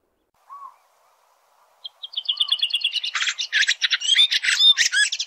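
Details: Red-throated thrush singing outdoors: two soft, lower piping notes, then an accelerating series of high repeated chips building into a loud, jumbled, twittering warble.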